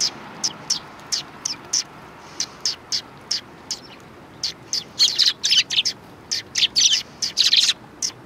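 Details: Several sparrows chirping at a Tenmangu shrine on 3 January 2020, high, clipped notes in an irregular patter that grows busier and overlapping toward the end.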